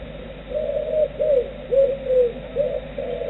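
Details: Tawny Owl at its roost replying to its distant mate, giving chirring, warbling notes: a run of short wavering trills, several dipping downward, about six phrases in three seconds, low hum behind.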